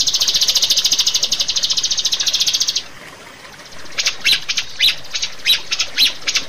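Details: Rio-rio bird on a master recording for training caged birds. A rapid buzzing trill stops after about three seconds; after a pause, harsh squawks follow, each roughly half a second apart.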